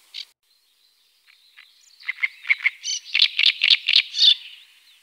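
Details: Great crested grebe with chicks at Tovačov fishponds, Czech Republic, 2013–2014, giving high, thin piping notes: a few scattered soft notes, then a quick series of about four or five a second that grows louder.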